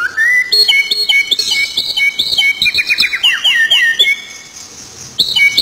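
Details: Stone-curlew calling: loud whistled notes with rich overtones, some rising and some wavering, overlapping in a busy series, with short downward-slurred notes in the middle and a fresh burst of whistles at the end.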